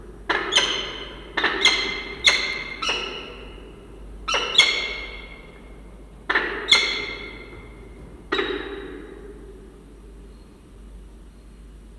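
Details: Sharp wooden or metallic knocks with brief ringing tails, about eight in twelve seconds, over a low background hum; no animal voice.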